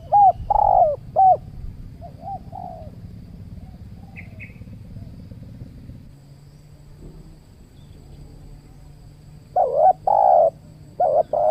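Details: Spotted doves (tekukur) at a new trapping location during a luring session with a trained decoy dove; deep hollow coos come in short groups near the start and again toward the end, with a low rumbling background and a brief high chirp.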